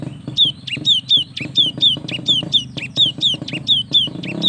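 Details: Cinereous tit, a young active bird used to prompt others to sing: steady series of clear, downslurred whistled notes, roughly one every third of a second, over constant low background rumble.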